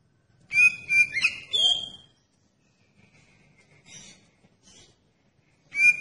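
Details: Oriental magpie-robin singing to prompt other magpie-robins to answer: a loud opening run of whistled and slurred notes, then a long near-silent gap with faint soft chirps, and a fresh whistled phrase at the end.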